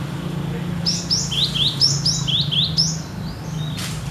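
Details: Cinereous tit, steady 'gacor nagen' singing said to match the wild: a burst of about six sharp whistled notes sliding down, paired and repeated rapidly, then a brief rustle, with a constant low hum.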